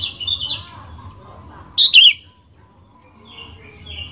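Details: Sooty-headed bulbul, its song used to set other bulbuls off singing: a loud short bubbling two-part phrase, with soft twittering of other birds before and after.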